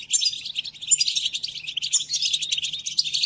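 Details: Song of the European goldfinch played for captive birds in training: continuous, very fast chirping and trilling with squeaky high accents, over a faint low hum.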